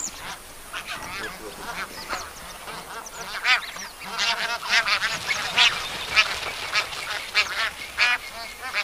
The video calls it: Greylag goose